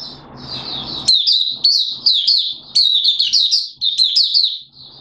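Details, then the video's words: Oriental white-eye, Malaysian mata puteh, in 'buka sing' full song in humid Singapore on 29 March 2023: a faint thin run, then loud rapid high warbling with slurred downward notes, low murmur at first. "Malaysian Mata Puteh Buka Sing"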